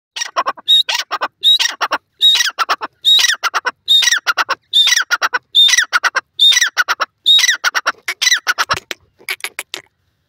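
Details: Grey francolin, locally Dakhni Teetar, giving loud, harsh, squawking call phrases. Each phrase is a rapid run of rasping notes with a sharp whistled accent, repeated about once a second with short gaps. The recording is clean with no other sounds.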